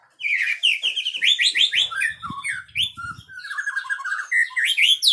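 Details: Loud, close white-rumped shama song: a rich run of varied whistles, rapid slurred notes and chattering phrases, rising and falling in bursts, over an otherwise quiet background with a few soft clicks.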